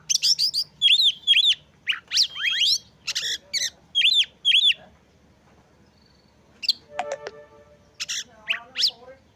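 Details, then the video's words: Oriental magpie-robin singing to provoke others of its kind: repeated paired arched whistles and sharp notes for about five seconds, a pause, then a brief harmonic squawk-like call and scattered chirps. "Kacer Gacor Pancing Emosi dan Dongkrak Birahi Kacer Lain Agar Lekas Gacor"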